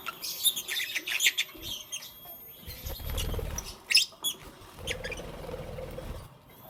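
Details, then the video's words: Morning lovebird chirping: bursts of shrill, high squeaks early on, a lone sharp note near the middle, plus soft low rumbling thumps and a faint steady tone underneath. "Lovebirds Chirping Sounds"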